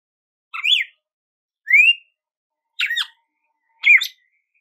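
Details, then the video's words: Red-cowled cardinal delivering four whistled phrases about one second apart, a rising whistle among richer falling notes, background silent. "GALO DE CAMPINA CANTO CARDEAL"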